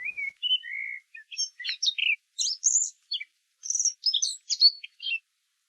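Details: In a hornbeam forest during the morning chorus, a common blackbird sings its flute-like song: a phrase opening with low, mellow fluted whistles and ending in a burst of high, squeaky twittering notes.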